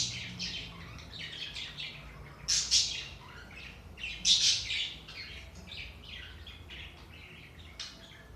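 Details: Budgerigar chatter offered to liven up sluggish budgies: scattered buzzy, raspy notes and chirps in loose clusters, with two louder squawky bursts near the middle, then softer twittering over faint low hum.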